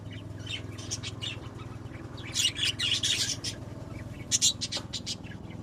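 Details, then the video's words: Pet budgerigars giving scattered high chirps that swell into a busier burst of squeaky twittering midway, over a steady, pulsing low hum. "Naše anduličky"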